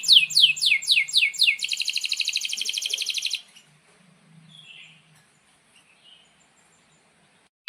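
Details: Canary in full song for training young canaries and silent ones: six rapid descending whistled sweeps run into a long dense buzzy trill, followed by several seconds of near silence.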